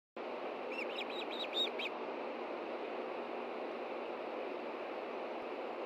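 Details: Nesting osprey pair at the Hellgate Osprey Project, Montana, alerting to a threat on the ground, 30 June 2013, late morning: a quick burst of six sharp, high chirps, then only steady hiss.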